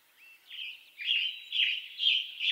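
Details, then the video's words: Western tanager in western North America singing a run of rough, burry phrases that follow closely one after another. A faint thin whistle sounds at the start, with a thin steady tone running beneath the song. "Western Tanager Bird Song"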